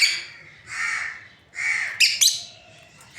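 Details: A breeding pair of lovebirds gives shrill, harsh squawking chirps, two longer grating bursts followed by two sharp high chirps in quick succession, over about three seconds.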